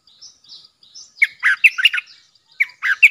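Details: Caged bulbul used as a decoy to draw in wild birds, 13 April 2021: soft thin high chirps at first, then loud bubbling, gurgling warbled notes in two bursts.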